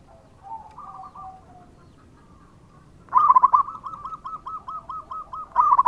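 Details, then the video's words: Local zebra dove in full song: soft low coos first, then a loud run of evenly spaced bubbling coo notes repeated rapidly, ending with a stronger rolling phrase. "Perkutut Lokal Gacor dengan Suara ini Sekali Putara Langsung Nyaut"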